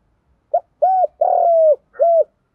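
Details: Decoy spotted dove cooing to lure and provoke wild males: a quick short note followed by three deep hooting coos, the third long and slowly descending, ending on one separate closing note. No other sounds.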